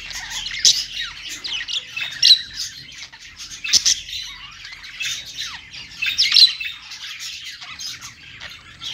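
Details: Budgies singing on a perch: continuous high warbling chatter with scratchy notes and bursts of louder squeaky chirps about every two seconds.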